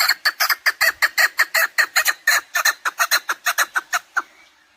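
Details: Chukar partridge, recorded for hunting: a loud, rapid string of raspy chuk notes repeated almost three times a second, slowing and fading in the final second.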